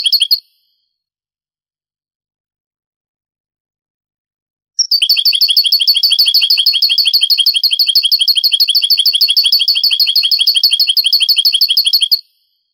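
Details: Old Spanish tape recording from the 80s–90s of a goldfinch in the Granada song style. A brief chirp opens, silence follows for four seconds, then a long, even, rapid series of high metallic notes lasts about seven seconds.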